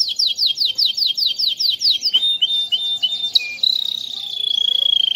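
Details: Canary song praised as melodious and crystal-clear: a fast run of repeated descending chirps, then a few buzzy notes, ending in a long, steady, high whistled note with a fine tremolo.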